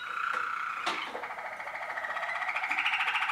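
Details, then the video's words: Novice Waterslager canary from 2013 holding a steady whistled tone, then moving into a slowly rising, fast pulsed roll like bubbling water, the beats growing more distinct toward the end. "waterslager 2013 noveles"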